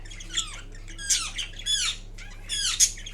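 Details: Green Indian ringneck pet parrot dozing and vocalizing: a few drawn-out raspy notes with falling, curved shapes, spaced about half a second apart, with a low hum behind.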